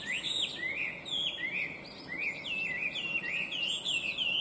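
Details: Chinese hwamei, an invasive alien species noted for bright, beautiful, intricate singing, delivering a continuous stream of loud whistled swoops and trills that rise and dip repeatedly, with faint high chirping from other birds above.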